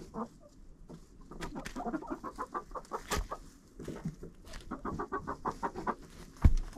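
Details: A GoPro inside a chicken coop catches several birds keeping up a steady patter of short low clucks and soft chattering, with occasional sharp knocks and a loud thump near the end.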